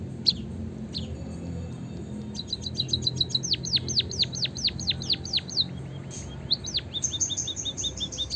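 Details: Lure recording of white-headed munia (emprit kaji) chirping to encourage other birds to sing: rapid high ticks building into a long string of loud, sharply descending chirps, then lighter twittering, with low hum underneath.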